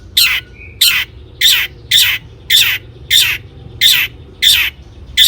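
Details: Long-tailed shrike calling, a recording used to stir other shrikes into song: harsh, rasping notes repeated about every half second, each a broad grating burst, with a short whistle near the start.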